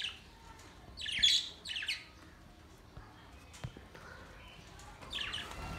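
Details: Budgies on May 29, 2023: a few short bursts of harsh, high chatter separated by quiet stretches, with one louder squawky burst early and another near the end.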